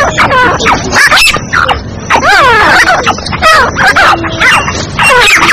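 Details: Female black francolin luring call: strident, warbling harmonic notes sweeping down then up, given in uneven groups with brief pauses, several voices overlapping at times.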